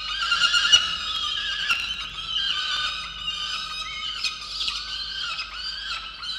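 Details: Peregrine falcon at a water-tower nest box in Orange, New South Wales, Australia, calling angrily at its mate for not bringing breakfast, in November; loud, harsh, rapidly repeated squealing wails, high-pitched and continuous, with occasional sharp clicks.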